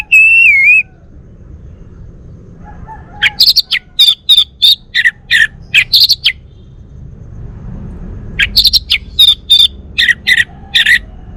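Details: Male orange-headed thrush of the Bali form, kept at home: one looping whistled note, then after a pause two runs of rapid, harsh, buzzy chirps, each run lasting several seconds, over low background hum.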